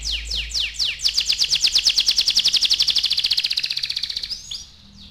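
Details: Singing canary, used to coax young canaries into vigorous song. A few swooping notes lead into a long, fast, high rattling trill of evenly spaced notes that fades out with a final short phrase.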